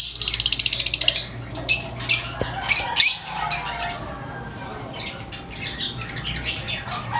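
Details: Lovebird, very vocal with a high-pitched chirp, opening with a rapid rattling series of sharp chirps, followed by several loud separate squawks and a second quick chirping run near the end; low hum underneath.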